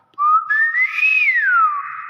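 A Nias hill myna gives one long, clear whistle that rises slowly, peaks, then glides back down over about two seconds. No other sounds compete.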